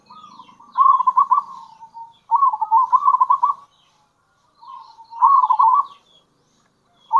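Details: Local zebra dove repeating rippling, stuttered coo phrases about every two seconds, with quieter tails between them. These kerot and bekur calls serve as a lure for other zebra doves.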